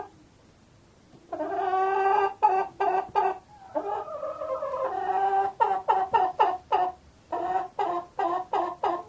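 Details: Hens produce drawn-out, nasal, tonal clucks and squawks, some stretched, others chopped into quick repeated notes, continuing steadily throughout.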